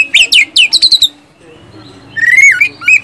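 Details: Oriental magpie-robin used as a lure for silent caged kacer, a quick series of sharp chirps, a short pause, then a burst of gliding whistles.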